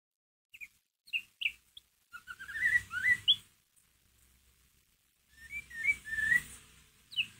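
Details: Soft ngeriwik phrases from a white-rumped shama, used to excite another shama: scattered short whistles, then a run of quick rising and falling whistled notes, a pause, and another looping whistled run.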